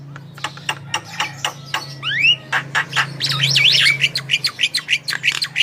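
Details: Javan myna song for prompting other birds to sing: rapid repeated dry clicks, two upward-sweeping whistles, a wavering whistled passage, and a constant low hum beneath.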